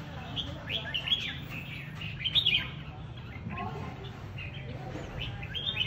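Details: Red-whiskered bulbul, a newly rising fighting bird mixing with other birds, delivers a run of warbled chirping phrases with a louder flourish in the middle, against a steady low background rumble.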